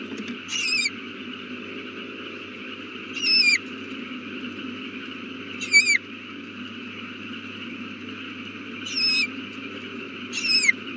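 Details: Owl at its nest with a new chick, 8:32 pm on April 18, 2019. Five short hoarse screeching calls, each with a wavering, falling tone, spread unevenly, some two or three seconds apart, against a low constant hum.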